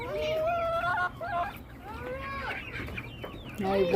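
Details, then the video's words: Chickens in a flock giving long, drawn-out tonal calls, some wavering and gently falling, interspersed with short clucks, a louder call at the close. "Beautiful sounds of our flock !!"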